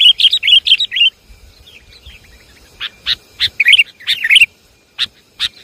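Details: Sooty-headed bulbul lure call of the Javanese kutilang type: a quick cluster of liquid, bubbling notes, a pause, then scattered harsh chatters mixed with short gurgling phrases.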